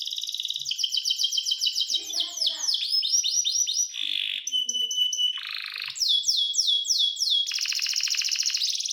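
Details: Canary singing a rich mixed song of rapid sweeping note series, whistled tones and a dense buzzy roll, phrases changing quickly and almost without pause.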